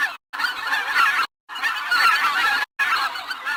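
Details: Three bursts of loud, harsh goose honking separated by short silent gaps, each burst a dense clamor of nasal calls.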